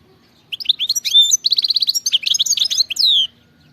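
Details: Wild European goldfinch singing: a fast, liquid twittering run of high chirps and trills, with a buzzy repeated trill in the middle and a long sweeping note near the end, lasting about three seconds.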